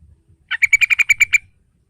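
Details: Sooty-headed bulbul, played to coax a young bird into singing: a single quick run of about nine sharp, buzzy repeated notes lasting under a second, over quiet low-pitched background noise.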